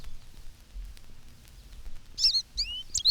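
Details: An American Goldfinch, one of a flock feeding on dandelion seeds, sings from telephone wires in spring on a 1954 Cornell recording. After recording hiss and low hum comes a quick burst of high, sweet, slurred canary-like notes.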